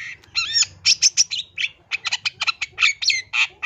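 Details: Long-tailed shrike (cendet) from East Java, a recording meant to lure shrikes into singing, delivering quick harsh squawks and bright whistled notes in a rapid, varied stream.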